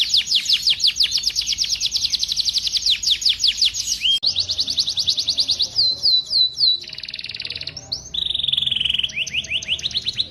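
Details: Masteran tutor track naming cucak jenggot, cililin and canary: long run of rapid, high, falling whistled sweeps for four seconds, then varied chattering phrases, a lower steady buzzy trill and more quick downslurred notes.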